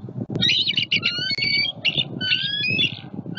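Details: Adult bald eagles at a Southwest Florida nest with their first-hatched eaglet give alert calls at a juvenile flying over; sharp, shrill, trilling squeals strung together across the clip, with low rumbling background.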